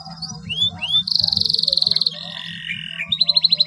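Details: Long-singing canary whose song serves to coax silent canaries into singing: two rising slurred whistles, a fast buzzy trill, a lower flat rattling phrase, then a bright quick trill, with a soft low hum underneath.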